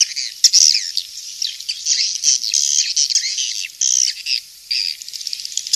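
Swiftlets chatter in a dense, continuous stream of high, twittering chirps and buzzy trills, many birds overlapping with brief gaps.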